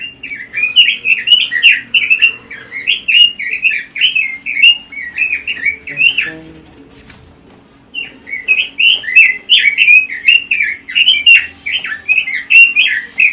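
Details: Red-billed leiothrix, known as Pekin robin and kept as a competition songbird, gives two long bursts of quick, bubbling warbled notes separated by a brief pause, over a steady low hum.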